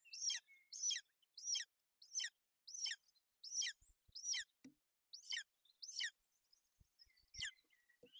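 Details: Golden eagle nest in Bucovina, 28 May 2021, where a female shelters her chick in bad weather. Sharp, high, falling chirps come about twice a second, ten in all, with a few faint low knocks near the end.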